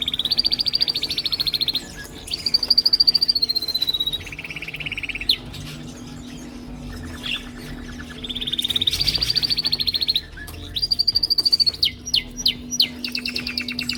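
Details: Handsome male canaries singing together to impress, each his own song: repeated fast trills switching between pitches, downslurred whistled phrases, sharp chips and a steady low hum in the background.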